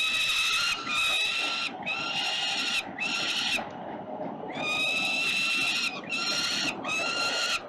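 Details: Peregrine falcons at 367 Collins Street in Melbourne's CBD squabbling over prey at 5:07 p.m. on 5 November 2022; loud, harsh, screaming cries in long bursts of about a second, repeated almost without pause, with rustling and city background below.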